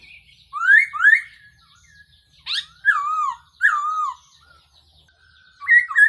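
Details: Black-throated laughingthrush calling on a decoy track for bird trapping. Two rising whistles come first, then a harsh burst, several wavering descending whistles and a closing chatter.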